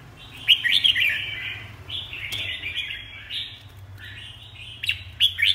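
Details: Red-whiskered bulbul singing bursts of bright slurred and chattering notes with short gaps between phrases, a low hum in the background.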